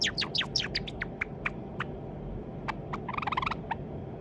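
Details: Young pet white Java sparrow, thought to be male, practising song. It opens with a cluster of sharp descending chirps, then spaced single ticks, then a fast stuttering burst of clicks. A constant low hum lies beneath.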